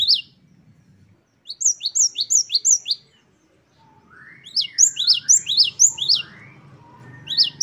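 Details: A great tit known as gelatik batu gives wucit-wucit song for a tutor recording: runs of four to five sharp rising whistles, a lower swooping slur between them, faint low background hum.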